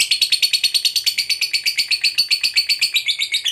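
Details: Fighter lovebird's long ngekek trill, used to provoke a rival: a rapid, buzzy chatter of about six high, rasping notes a second, held steadily through the clip, indoors with no other sounds.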